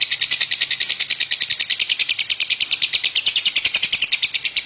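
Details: Rapid, harsh high-pitched chips from a lovebird coughing ('batuk') without pause, roughly three or four notes a second in a steady stream.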